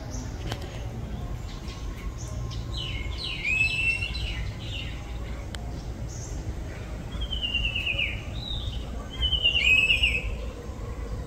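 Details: Oriental Magpie Robin, a common bird living near houses in a Thai village: bursts of varied, sweet whistled phrases with rising slurred notes and short chirps, separated by pauses over a low background rumble.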